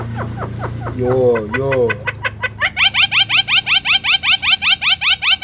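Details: Javan myna (jalak kebo) training song for a talking bird: opening harsh chatter and two wavering lower notes, then a fast run of about fourteen identical sharp rising whistled chirps, evenly repeated.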